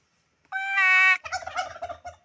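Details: A turkey gives a loud, steady, nasal note for about half a second, then a fast, rattling, bubbling gobble that trails off. No other sounds are present.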